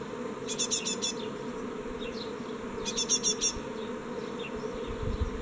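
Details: Great tit young at fledging time from a nest box, 14 May 2017, one chick leaving; two loud buzzy bursts of rapid stacked notes, a few faint high chips, and a continuous low drone.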